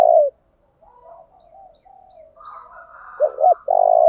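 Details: Decoy spotted dove calling to lure and provoke rivals into singing: the tail of a long coo, soft murmuring coos from another dove, then two short swooping notes and a long steady low coo.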